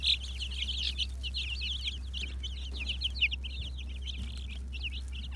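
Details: Black Mottled Brahma chickens, 2020: many rapid, high peeping chirps overlapping in a constant chatter, with a steady low hum throughout.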